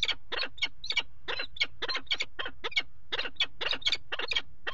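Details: Peregrine falcon pair mating on the nest ledge of a water tower nest box, 5 February 2018: harsh, rasping, chattering calls repeated about four times a second in a steady run, with low rumble underneath.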